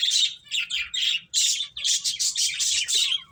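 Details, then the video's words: Playing finches give dense, high-pitched chirps in rapid clusters, nearly continuous, with one short pause about a third of the way through. "Beautiful Birds Chirping Sounds | Cute Finches Playing"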